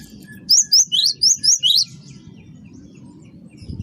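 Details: Great tit of the wingko variety, gelatik batu, singing as a lure: a single burst of six high, sharp, chevron-like notes spaced about a quarter second apart, then low background hum.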